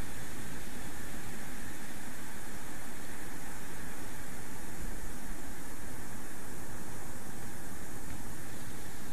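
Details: Loud, even hiss, like wind or machinery, runs throughout.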